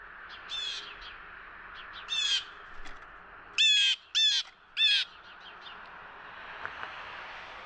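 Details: Blue jay recorded in Ontario, Canada, giving its familiar loud "jay jay" call: harsh, scratchy bursts in quick pairs and triplets, loudest in a run of three near the middle, with fainter distant calls before and after over a steady background hiss.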